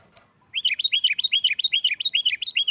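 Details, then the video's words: Sooty-headed bulbul in 'gacor nggaruda' fighting song used to spur rival bulbuls: a fast unbroken series of paired whistles, each high note dropping to a lower one, about twelve pairs in two seconds. "Suara Burung Kutilang Gacor Nggaruda KUTILANG RIBUT Ampuh untuk TES Mental EMOSI Kutilang Lain."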